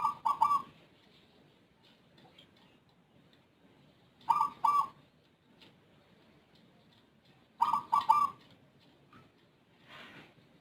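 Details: Rondosemoyo zebra dove with an unusual voice, different from local and Bangkok doves, a diligent caller that often sings before dawn. Three rolling coo phrases, each a quick double or triple burst, repeat roughly every four seconds over quiet background.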